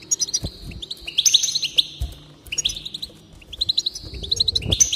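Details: A goldfinch song for motivating a bird to sing: three lively phrases of twittering, chattering notes mixed with drawn-out buzzy tones, each lasting about a second, plus faint low knocks.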